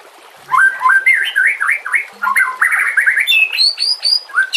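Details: White-rumped shama training song: after a quiet start, a fast string of rising and falling whistled notes, about four per second, climbing to higher ringing whistles.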